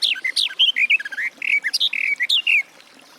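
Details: Garden warbler singing a fast, continuous warble of mellow, gurgling notes that rise and fall, with brief phrases running together for about two and a half seconds before stopping.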